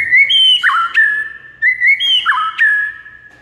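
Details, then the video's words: White-rumped shama song aimed at stirring a mute bird into song: two matching phrases of rich whistles, each with a high held note, a quick dip and a long lower tone. "JADIKAN MURAI BATU BISU LANGSUNG NGAMUK DAN GACOR MENDENGARNYA"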